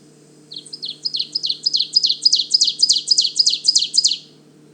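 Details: Ovenbird song at Manchester Cedar Swamp Preserve, southern New Hampshire, breeding season in large mature mostly deciduous forest (arrived early May): a rapid run of about ten high, sharp two-note 'teacher' phrases, growing louder with each repetition, over a faint low hum.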